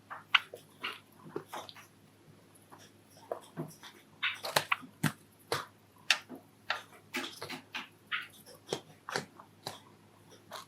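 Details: Pet Java sparrow courtship song, recorded indoors in a household of five Java sparrows: rapid runs of dry clicks and snapping notes mixed with short, bell-like chirps, delivered in bursts with brief pauses between phrases.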